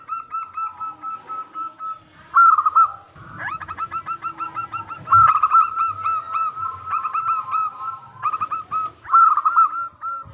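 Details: Zebra dove of local stock used as a lure for other doves: a steady stream of short soft coos breaks into louder rippling trills several times, with faint rustling below.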